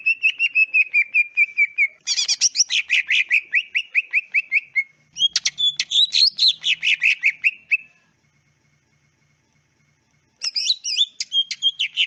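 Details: Greater green leafbird, natural clear song meant to provoke answering and singing: long runs of rapid repeated whistles, buzzy harsh chatter and complex varied phrases, a pause of two seconds, then renewed fast warbling.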